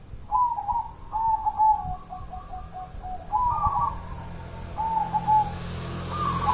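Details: Local Java zebra dove from the wild delivering a long trilled cooing song: strings of rapid rolling, stuttering coo notes, then separate coo phrases, over a low background hum.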